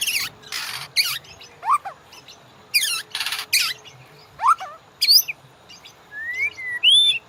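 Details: White-rumped shama master song for training caged birds: scattered harsh bursts mixed with clear upslurred and downslurred whistles, spaced by short pauses, finishing with smooth rising whistled notes.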